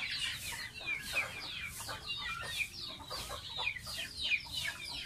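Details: Young domestic goose kept as a pet, taking a bath; bright, high, whistled peeps that slide downward come in steady overlapping bursts roughly twice a second.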